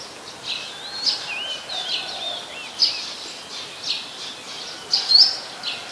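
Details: Brown-throated sunbird in Ubon Ratchathani, Thailand, recorded 13 January 2021: thin high chirps and short slurred whistles, some rising and looping, spaced irregularly about once a second over a faint steady background hiss.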